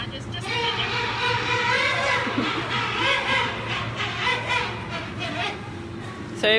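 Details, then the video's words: King penguins at SEA LIFE Aquarium Sydney during keeper feeding, vocalizing to communicate with each other; each has a different voice. Loud, buzzy, wavering trumpeting calls overlap for several seconds over a mechanical hum and faint voices. "we've got some vocalizing from our king penguins and this is how they communicate with each other so"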